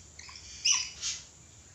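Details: Red lory giving a short harsh screech in two quick bursts, the second fainter, set against a quiet background hum.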